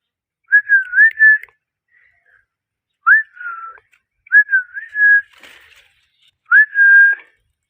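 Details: Parrot whistling four separate clear phrases, each opening with a quick upward swoop and then holding a level, pure tone for about a second.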